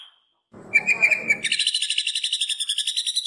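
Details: Master training song of a jamtrok green leafbird imitating the pelatuk bawang woodpecker: a harsh, noisy chattering burst leads into a fast, steady rattle of sharp high notes lasting about two seconds.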